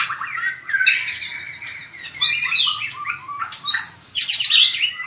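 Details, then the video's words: Competitive fighting song of a white-rumped shama, used for voice training: varied phrases with sharp upward-sweeping whistles, some loud, mixed with softer chatter and slurred notes. "Luyện chòe lửa hót đấu/luyện giọng chòe lửa/kích lửa shama bird"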